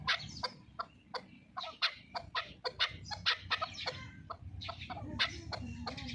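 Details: A Qubodiyon chukar partridge, kept as a fighting bird in Tajikistan, delivers loud grating chuck notes in uneven bursts that quicken toward the middle. A droning low background noise runs throughout.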